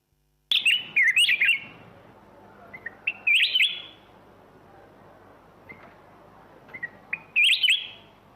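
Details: Black-crested bulbul singing loud, bright, warbling phrases of quick rising-and-falling whistled notes, delivered in short bursts with pauses of a few seconds and softer single notes between, in otherwise quiet surroundings.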